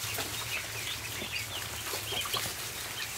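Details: Ducklings in a barn during feeding, with quick high peeps and small rising chirps over crackling, pecking noise and a low droning hum.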